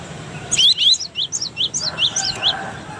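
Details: Brief burst of cinereous tit song from Indonesia, meant as a model for training birds: quick, bright, falling whistled notes tumbling in rapid succession.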